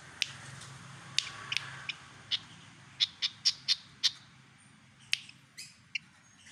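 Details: Javan pied fantail imitating white-rumped shama song: sharp, high clicking chirps in irregular bursts, a cluster of quick notes in the middle, with a faint low hum underneath.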